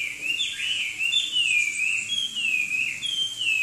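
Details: Chinese hwamei, a songbird from southern China, delivering a loud, continuous whistled song of wavering, slurred phrases that rise and fall without pause over the whole stretch.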